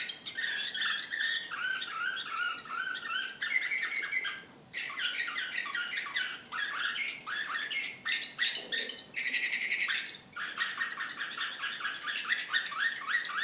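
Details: Belgrade canary singing in the Serbian slavujar style, 2014, noted as excited. Loud, dense song of rapid repeated swooping notes, rolls and a buzzy stretch, pausing only briefly.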